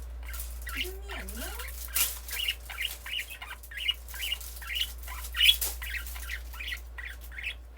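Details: A female pet budgerigar, retreating into her nestbox or cage in June 2021, gives a run of short, scratchy chirps and squeaks over a low steady hum.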